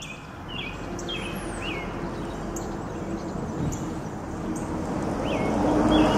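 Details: Brown-headed nuthatches, a male and a female collecting food for their chicks, give short, squeaky high chirps, scattered irregularly, on a sunny, cool, slightly breezy day in Lafayette Co., MS, 4/9/2020, over steady traffic rumble.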